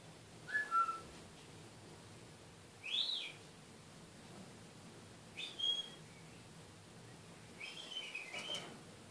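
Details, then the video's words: A caged pet kakariki talks in short, thin, high whistled notes. Some fall and some are clipped. They come singly every two to three seconds, separated by quiet pauses. "Kakariki talking"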